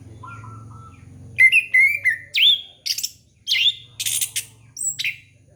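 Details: Orange-headed thrush singing, a song used as a lure for young birds: a lively sequence of varied whistled phrases, rising and falling slurs and bright high notes, in quick bursts.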